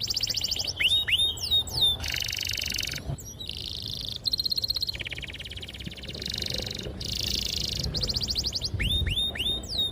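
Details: Canary in long, sharp song with extended rolls, meant to train young canaries: successive buzzy trill blocks at shifting pitches, framed by quick looping whistled notes at the start and end.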